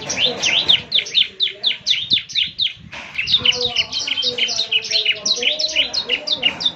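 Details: Bar-winged Prinia, young bird, singing gacor for morning playback so others answer: steady rows of high rising and falling chirps with a brief break near the middle, and faint lower tones behind.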